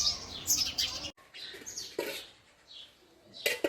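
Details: Male house sparrow chirps in scattered bursts: sharp, high, slightly rasping notes, dense at first, then sparse single chirps separated by quiet gaps.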